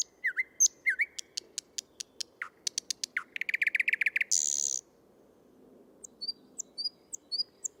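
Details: A male thrush nightingale (Luscinia luscinia) sings in Tsaritsyno park, Moscow, on 12 May 2022: a loud, varied phrase of rich whistles, a sharp dry clicking rattle, a buzzy churr, then spaced high piping notes, over a faint background hum.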